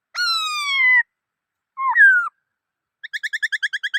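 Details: Black-throated laughingthrush singing: a long harmonic-rich whistle falling slowly, a short hooked whistle, then a quick series of about ten clipped notes. Clean recording with no other sounds.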